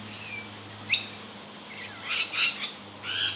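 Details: Feeding rainbow lorikeets, Trichoglossus haematodus, an Australian parrot, keeping up their constant calling; a thin whine, one sharp squawk, then a quick cluster of grating screeches and a final drawn rasp, low electrical hum behind.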